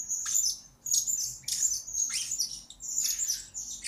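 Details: Blue-crowned hanging parrot used as a lure, master recording for training birds: rapid, very high, shrill twittering with some downward-sweeping squeaks, in four close bursts.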